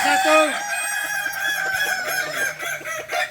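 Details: Balenggek roosters at a crowing contest practice in Ampang Kualo, Kota Solok: overlapping harmonic crows with a brief low opening note, then a long wavering stretch of stacked tones, faint voices beneath.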